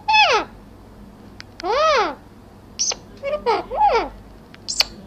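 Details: Parrot talking in Urdu/Hindi: several arched, harmonic-rich speech-like syllables, separated by short pauses, plus brief squeaky clicks, over a low indoor hum.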